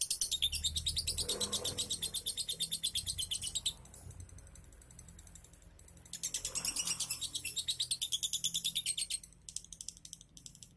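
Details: Lovebird prompt song played to get a lazy bird to sing 'ngunci': two bursts of fast, high, rattling chatter separated by a quieter gap, ending in a few scattered clicks.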